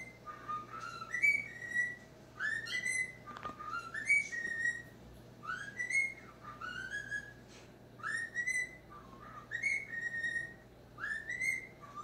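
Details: Indoor pet talking cockatiel watching itself on screen whistles the same short tune over and over, each rising-then-steady whistled phrase repeated roughly every one and a half seconds, over a faint steady hum.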